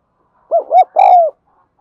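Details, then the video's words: Spotted dove coo meant to train and lure birds: a tight phrase of two short rising-falling coos and one longer steady coo, close and clear against silence. "Tiếng chim cu gáy dùng luyện giọng chim bổi và mồi chuẩn nhất"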